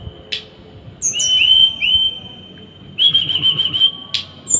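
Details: Tutor song of a small bird for training caged birds, with long high level whistles broken by sharp bursts and a wavering trilled passage, over a faint low background rumble.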